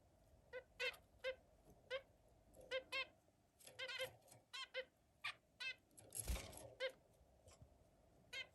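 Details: Zebra finch singing: a rapid series of short, nasal, honking notes with rich buzzy overtones, repeated irregularly several times a second, plus one louder harsh burst near the end over a faint steady background hum.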